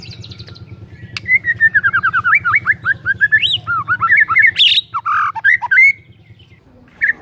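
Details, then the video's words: Chatty white-rumped shama song meant to lure quiet shamas into singing, a long rapid run of varied slurred whistles, rising and falling, ending with harsher notes, over a steady low hum. "PANCINGAN MURAI BATU GACOR"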